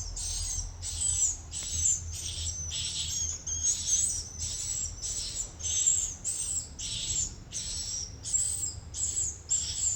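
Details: Rapidly repeated swiftlet chirps, harsh and buzzy with a bright whistled edge, follow one another with brief pauses against a low background rumble.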